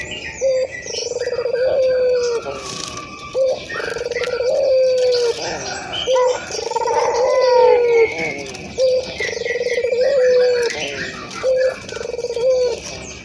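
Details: Local Indonesian ringed turtle dove cooing to encourage other doves to call: repeated low mellow coos, each opening with a quick upward flick and stretching into a long slow fall, about every two seconds, with a steady background whine.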